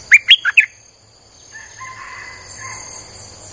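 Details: Streak-eared bulbul lure song for wild birds: a phrase of four quick chirps, then faint level whistled notes from a more distant bird, under a continuous high insect hum.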